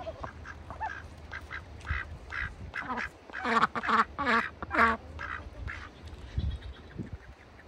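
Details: Ducks in a bucket in wintertime on a farm, giving a run of hoarse, nasal quacks that build to a loud cluster of harsh calls midway, then fade to scattered softer quacks over a low background hum.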